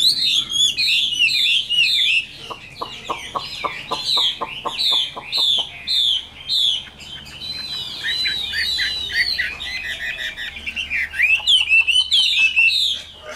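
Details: Long, varied song of a caged, wild-caught adult Chinese hwamei: busy whistled phrases, trills and repeated slurred notes, with a run of regular light clicks in the background early on.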